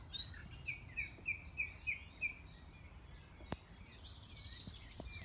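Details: A Common Nightingale at Knepp, West Sussex, in May 2018 sings a string of about seven clear, pulsing notes at an even tempo, then a softer warbled phrase; a single click breaks the quiet, and a blackbird is in the background.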